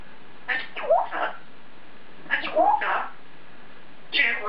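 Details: African grey parrot talking to itself in its cage; three bursts of speech-like mumbling chatter, each with a squeaky rising tone, separated by short silences.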